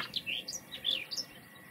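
A common whitethroat gives a quick, scratchy warble of high, chattering notes, lasting just over a second. The background is quiet.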